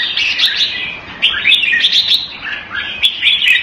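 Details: Singapore red-whiskered bulbul, caged in Thai style, February 2018, singing lively slurred phrases about forty times a minute, some notes swooping downward, with sharp clicking ticks.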